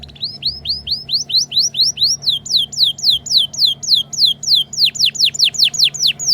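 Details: Canary ngriwik song meant as a tutor for young canaries: a long, steady chain of bright whistled slurs, first rising, then plunging downward, repeated about three times a second without pause, over a faint low hum.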